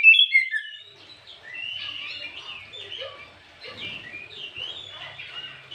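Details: Oriental magpie-robin singing in the afternoon, a lure meant to provoke other magpie-robins; a loud whistled opening gives way to a soft, continuous, rambling warble of varied high notes.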